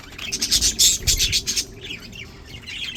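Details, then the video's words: Happy, healthy budgies in a burst of loud, rapid, high chirps for about a second and a half, trailing off into softer warbling twitters. "Happy Healthy budgies"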